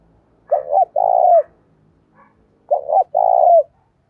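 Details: Spotted dove singing the Đồng Pha fighting song that provokes other kept doves to coo back; two phrases, each a pair of short, sharp notes followed by a drawn-out, smooth coo, separated by about a second of quiet.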